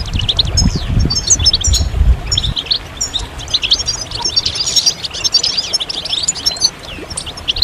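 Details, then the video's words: Goldfinches twittering together, mating and readiness calls meant to make males sing: steady, high jingling chirps and short trills, with a heavy low rumble during the first few seconds, then clearer twittering. "ستستة وبتبتة جماعية للحسون"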